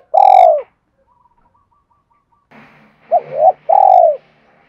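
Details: Spotted dove cooing used to urge other doves to coo: a long full coo, a pause, then a rustling noise and two more coos, one wavering and one long and falling.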